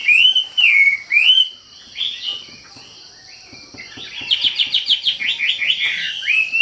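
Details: Spirited wambi song: three bright whistled phrases that dip and rise, a quieter pause, then a rapid series of short repeated notes building back into whistling, over a steady high hiss.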